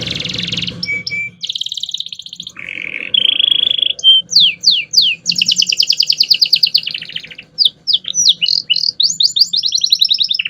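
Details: Singing canary in a master recording meant for teaching other songbirds, starting with buzzy rattles and a steady whistled trill, then fast descending sweeps and rolling trills repeated in bursts over a faint low hum.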